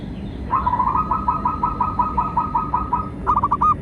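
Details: [0.0, 'Local zebra dove singing as a lure for captive and wild doves: a long, evenly stuttered trill of soft coos lasting over two seconds, then a short pause and a brisk closing phrase.']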